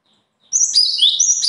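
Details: A bird bursts into rapid, high-pitched chirps and short trills lasting about a second after a brief silence.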